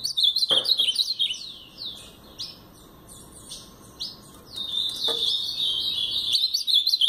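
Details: Brown-plumaged blue-black grosbeak giving Paraná-style song: rapid bursts of high slurred, descending whistles, a quieter pause, then another dense run of warbled notes; a couple of faint knocks are heard in the background.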